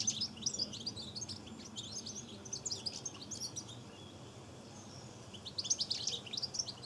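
European goldfinches sing in bright, tinkling twitters of quick high notes in rapid bursts.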